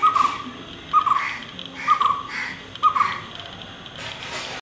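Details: White-cheeked barbet calling: a short, low, rolling double note repeated about once a second, four times, each followed by a softer echo-like note, against faint background hiss.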